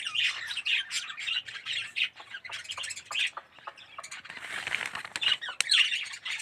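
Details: Budgerigar colony in an aviary with yellow red-eyed birds, scattered short chirps and squeaky warbled notes from several birds, uneven and quieter, with a soft rustle of wings partway through.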